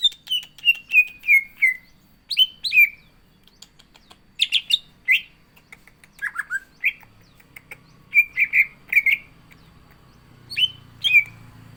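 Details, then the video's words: Caged green leafbird in full, lively song with mimicked phrases, ready to face a rival bird: series of clear descending whistles, then scattered sharp chirps and rapid whistled notes, with faint low hum. "CUCAK IJO GACOR ISIAN"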